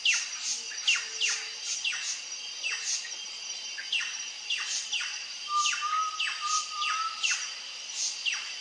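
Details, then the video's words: Plush-crested jay on a trail giving a rapid series of descending swept notes, with a few steady whistled tones mixed in near the end against faint high insect-like hiss. "CANTO da GRALHA-PICAÇA na trilha"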